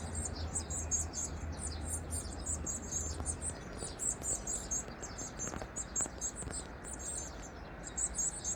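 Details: During nest feeding of Varied tit young on 2 May 2023, a sustained stream of shrill, high-pitched chirps runs throughout, with faint clicks and knocks; a low hum fades out early on.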